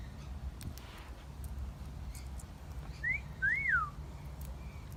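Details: Garden parrot giving a fairly soft wolf whistle late in the clip, a short rising whistle followed by a rise-and-fall whistle. A low outdoor rumble and faint clicks are also heard.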